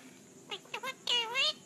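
A parrot talks in a nasal, harmonic voice: three quick clipped syllables, then a longer two-part phrase that dips and rises, over faint background hiss.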